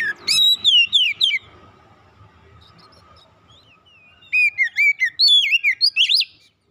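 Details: White-rumped shama (kacer) song played as therapy for a stressed bird: rich, swooping whistled phrases, rising and falling slurs in two bursts separated by a quiet pause filled with faint background chatter and a low steady tone.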